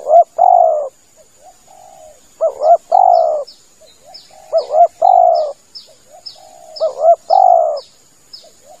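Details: Spotted dove lure call used for nyanggong, waiting in a hide. Loud quavering-then-long coo phrases alternate with quiet, brief soft coos. Many small high chirps from other birds are audible throughout.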